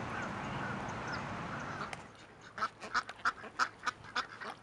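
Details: Mallard quacking: after two seconds of steady rushing background noise, a series of six or seven loud, nasal quacks about one every third of a second.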